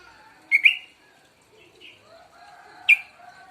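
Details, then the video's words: Two-month-old young sooty-headed bulbul just starting to sing: two short, sharp chirped notes about two seconds apart, the first a quick double note, over a quiet background with faint low murmurs. "burung Trucuk 2bln mulai bunyi"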